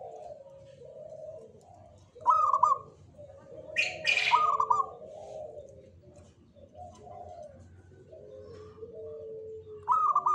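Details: Local zebra dove in jogoboyo style: warbled coo bursts separated by lower mellow tones, with a brief sharp noisy burst midway and a steady low background murmur.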